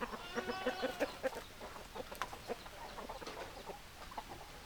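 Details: Chickens on a farm: dense, rapid low clucks come in quick uneven bursts, several per second, with a few sharper higher notes mixed in and a busy farmyard background.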